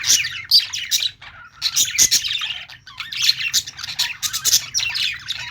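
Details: Budgies chatter in busy clusters of high, scratchy chirps and squawks, each burst lasting about a second with short pauses between, giving an uneven, bubbling rhythm.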